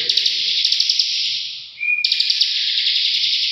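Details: Bar-winged prinia (ciblek) singing in the continuous 'ngebren' style: a dense, rapid buzzy trill of ticking pulses held without a break, a short dip with a thin steady whistle near the middle, then the trill resumes just as loud.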